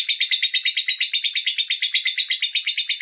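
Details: Andong lovebird from Bandar Lampung displaying endurance song: fast, regular rasping chatter of high notes, nearly three pulses per second, continuous and even throughout.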